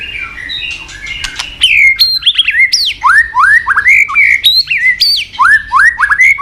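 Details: White-rumped shama (murai batu), a bird much sought after by songbird hobbyists, singing loud clear whistled phrases of sharp rising and falling slurs in quick succession, after a softer opening of scratchy chattering notes.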